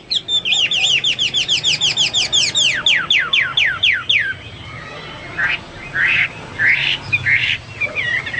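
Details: Hwamei delivering a fast run of about twenty sharp, falling whistled notes in roughly four seconds, then pausing before softer, breathy phrases.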